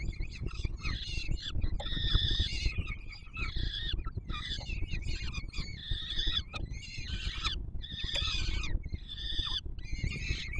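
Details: Peregrine falcon nestlings in Warsaw, Poland, at the Palace of Culture and Science site on 7 July 2022, calling while being fed. Rapid, raspy begging cries repeat in clustered bursts throughout, over steady low rumbling.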